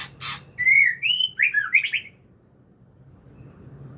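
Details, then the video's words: White-rumped shama: after a harsh burst, a brief phrase of clear whistled notes, rising and falling slurs ending in a quick tumbling flourish, then quiet. "Murai ngukluk"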